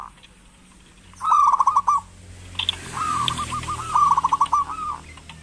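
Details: Local zebra dove singing as a prompt for reluctant doves: a rolling stuttered coo phrase, then after a pause two linked beaded trills over a steady background hiss.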